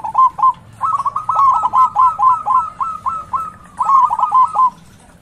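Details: Local Zebra Dove, a loud lure bird to arouse other doves: a brief pair of coos, then a long rolling run of clipped, falling notes, followed after a pause by another fast cluster.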